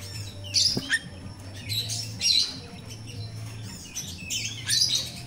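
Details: Natural jalak rio-rio myna song, played as a lure for untrained captive mynas: three rasping, noisy bursts about a second apart, with thin chirps between them and a constant low droning hum.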